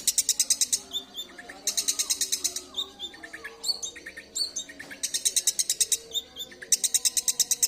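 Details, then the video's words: Long-tailed shrike singing a lively varied song: rapid buzzy trills of evenly spaced high notes alternate with lower chirps and short whistled slurs, with a faint hum in the background. "Cendet tampilan mewah"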